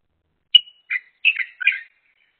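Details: Two crested mynas, a pair, call back and forth while one feeds and the other keeps lookout; a sharp high whistle followed by four rapid, slightly harsh chirps stepping between higher and lower pitches.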